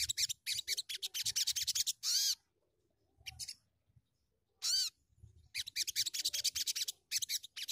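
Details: A sunbird, used as a lure to prompt untrained birds to sing, gives rapid, very high ticking twitters in bursts, broken by two brief ringing notes that rise in pitch. No other sounds stand out.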